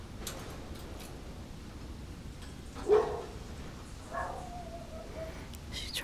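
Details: Pet Goffin's cockatoo in a backyard talking to birds in the trees, saying phrases like "I love you" and "Good morning": two brief, speech-like utterances, the second sliding into a drawn-out tone, over faint hum.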